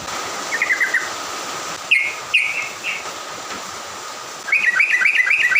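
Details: Morning songbird song meant to stir other birds into excitement: short rippling phrases and slurred whistled notes separated by pauses, ending in a quick warbling run, over a faint constant hum.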